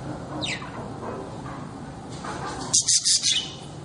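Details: Pet budgerigar calling: one thin descending whistle-like note, then a run of four fast, bright, high chirps near the end, over low room noise.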